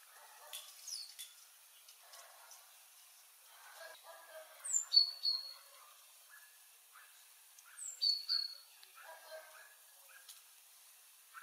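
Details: Adult Eurasian Blue Tit of the nominate subspecies, foraging on Scots pine seeds in Sofia, Bulgaria, at midday on 25 December, filmed with a Panasonic FZ300; high thin downslurred notes and short sharp calls in two bursts, with soft rustling and faint lower twitters between.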